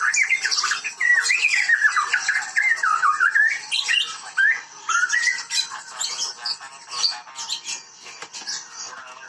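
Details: Vigorously singing white-rumped shama, Medan type, from bird breeding: long varied outpouring of rolling whistles, downslurred phrases and scratchy high chatter, growing harsher and more broken toward the end.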